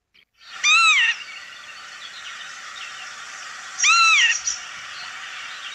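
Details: Northern lapwing on a meadow giving two wheezy, rising-then-falling 'pee-wit' calls about three seconds apart, with a steady background hiss.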